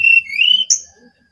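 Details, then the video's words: Actively singing brown-chested jungle flycatcher, Bali: a short, clear whistled phrase, a steady high note sliding into a rising slur, then a sharp upward flick before silence. "Sinkatan rimba dada coklat (SRDC) Bali Gacor"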